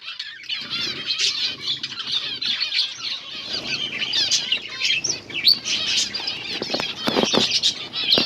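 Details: Finches eating green food on August 17, 2024, a flock chirping constantly: dense, overlapping high twittering notes and short chips, with bursts of louder chattering and soft rustling below.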